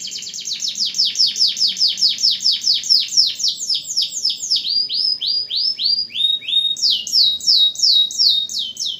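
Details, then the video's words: Canary singing loud 'gacor' song meant to prompt silent canaries to sing again: fast trains of descending high chirps, about four per second, shifting into slower swept notes, with faint low hum beneath. "KENARI GACOR AMPUH PANCING KENARI MACET BUNYI LAGI"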